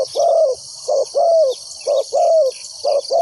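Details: Spotted dove decoy luring wild doves for trapping: loud, rounded coos in pairs, a clipped note then a longer falling one, repeated about every second against an insect drone.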